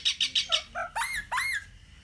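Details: A pet rose-ringed parakeet gives four short, scratchy chirps in quick succession, then two loud, harsh squawks that rise and fall, all within two seconds.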